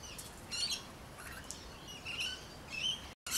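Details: Rainbow lorikeets calling from backyard trees in Adelaide's city area: short, shrill, raspy chatter in quick bursts, several overlapping notes, with a brief dropout near the end.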